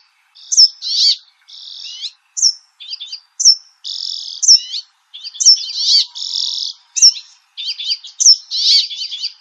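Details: Brambling giving a busy run of high notes: sharp downslurred whistles mixed with harsh buzzy rasps and quick chirps, packed closely with short gaps.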